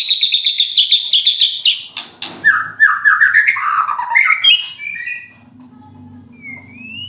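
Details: White-rumped shama in moult, a fighter bird, giving a rapid train of high chattering notes, then descending stuttered whistles and rising clear notes, ending with a low hum in the background.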